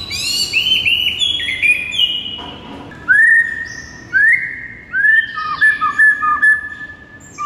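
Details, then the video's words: White-rumped shama singing a lively morning masteran training song: clear whistled phrases, some sliding upward and others dropping, with short bright trills and pauses between bursts. "MASTERAN MURAI BATU GACOR PAGI HARI INI"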